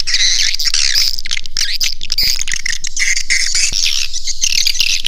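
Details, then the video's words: Swiftlet calling sound used to attract swiftlets to a nesting house: dense, continuous high chirping and twittering with squawky notes, layered and overlapping without pause. "Suara Panggil Walet"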